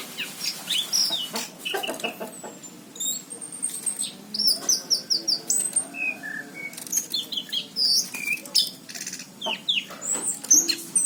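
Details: Energetic orange-headed thrush singing, 2019, Cirebon: a long, busy stream of high whistles, rapid twittering notes and squeaky slurs, delivered almost without pause and shifting quickly between phrases.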